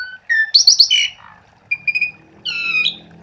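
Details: Asian pied starling singing as a lure for silent starlings: short clear whistles, some level and some slurred downward, in three brief bursts separated by pauses.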